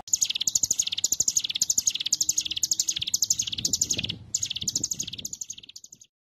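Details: Example of rapid "ngebren" song, dense fast bursts of high, sharp notes in quick succession with brief gaps between volleys, from a mountain Bar-winged Prinia (ciblek gunung) famous for this style.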